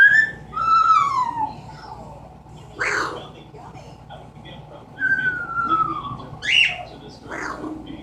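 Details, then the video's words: Pet Amazon parrot imitating a falling bomb noise indoors: repeated downward-gliding whistles mixed with short harsh squawks, roughly four calls spread over eight seconds. "The many sounds of an amazon parrot."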